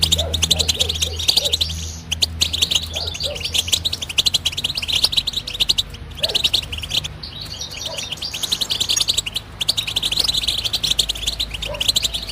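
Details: European goldfinch singing a long batbata twitter, a restless run of sharp high chirps, trills and jingling notes with brief breaks. Soft low cooing notes drift in faintly at times.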